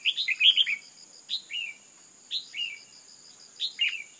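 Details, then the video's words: Red-whiskered bulbul, a female, calling to rouse males. It opens with a quick burst of bright chattering notes, then settles into two-part calls, a sharp falling chirp and a softer slurred whistle, every second or so. A constant shrill background tone runs throughout. "tiếng chim chào mào mái kích trống căng lửa"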